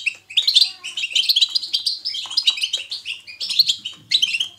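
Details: Lively natural goldfinch twittering, known as batbata and meant to prompt other goldfinches to sing. Bright, liquid chirps and buzzy notes tumble in fast succession after a short opening pause, with soft low knocks near the end.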